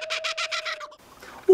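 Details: A Laughing Kookaburra, native to eastern Australia, gives its laugh-like territorial song, a fast run of harsh cackling notes about seven a second over a steady hum; a short quiet gap follows, then a brief tone.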